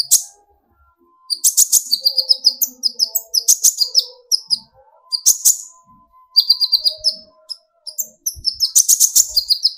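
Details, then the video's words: Young speckled sunbird (kolibri ninja, konin) in full song, used to provoke other birds into singing: very high, rapid chattering phrases of thin repeated notes in bursts separated by short pauses, with faint low background tones. "burung konin gacor pancing tembakan konin"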